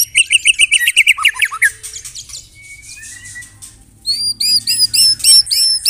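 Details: White-rumped shama with canary imitations in its song: a fast series of high repeated notes falling into lower chips, a quiet gap with a faint whistle, then quick bright upslurred whistles repeated several times a second.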